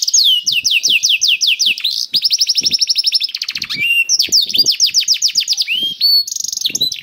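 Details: Singing canary performing a special song pattern meant to prompt other canaries into song: fast high rolling trills and rattling buzzy bursts alternating with downslurred whistled note series, continuous and energetic.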